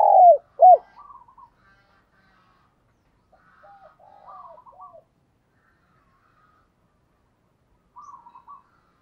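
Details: Cooing of a spotted dove used as a decoy to attract wild birds. It opens with two loud close hoots, then quieter rolling coo phrases repeated after gaps in a silent background.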